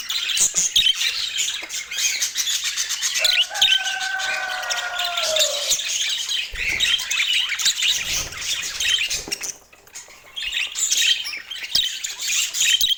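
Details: Chattering budgerigars keep up a thick wash of high chirps and squawks; partway through, a lower, drawn-out whistle with a falling tail rises above the chatter before the busy twittering resumes.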